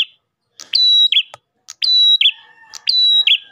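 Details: Ash tailorbird, singing to lure others of its kind, repeats a ticking start, a flat high whistle and a coarse lower note about once a second, over a soft lower humming tone.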